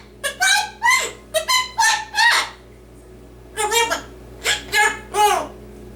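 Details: Captive male yellow-naped amazon parrot reciting words in a bright, high-pitched talking voice: quick clusters of short speech-like syllables, a pause of about a second, then another cluster of three to four syllables, quiet room.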